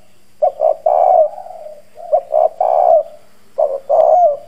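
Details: Spotted dove used as a lure, hoarse bronze-voiced, cooing to stir up wild doves; deep three-note coos, short-short-long, repeated about every one and a half seconds, the last phrase slightly rising.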